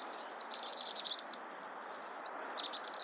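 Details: Vinous-throated parrotbill, known locally as baepsae: a rapid stream of thin, high chirps and short twittering notes, overlapping as from several birds, over a steady background hiss.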